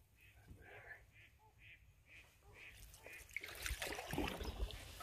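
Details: Three wood ducks flushed on a creek during a canoe paddle, drakes in mating plumage, give a run of high, squealing notes about twice a second, then rustling, splashing paddling noise takes over.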